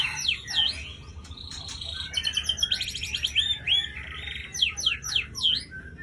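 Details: Breeding female white-rumped shama of the Aceh type pours out a rich, high song: swooping down-up whistles, rapid rattling trills and ringing slurs, phrases changing every second or so.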